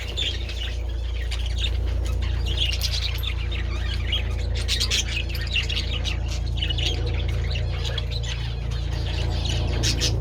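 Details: Several budgerigars enjoying treats in the sun on 27 February, giving a steady stream of quick chirps and scratchy warbles throughout, over a loud constant low hum.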